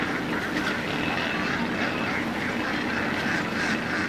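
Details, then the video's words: Hundreds of Indian ducks feeding in dam water, producing a steady overlapping mass of quacking calls over a constant low rumble of background noise. "Ducks indian ducks Hundreds of ducks feeding in water"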